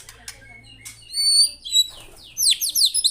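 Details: White-rumped shama in energetic song, a short burst of high chips followed by clear ringing whistles and rapid downslurred trills, with a faint low hum at the start.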